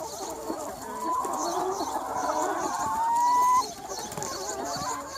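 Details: Large free-range chicken flock on a sunny spring day, a low busy murmur of clucks under one drawn-out clear whistled note that rises slightly and ends abruptly.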